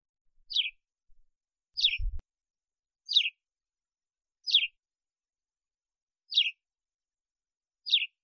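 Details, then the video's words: Sparrow in Africa giving single short, downward-sliding chirps, six in all, roughly every one and a half seconds, with a dull thump once in the background. "Воробей. Африка. Голоса птиц"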